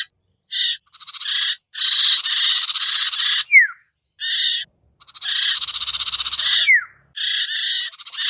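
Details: Lure recording for the sirtu, a bird that is hard to bring down: grating pulsed buzzes in separated blocks, with quick descending whistled notes between some bursts.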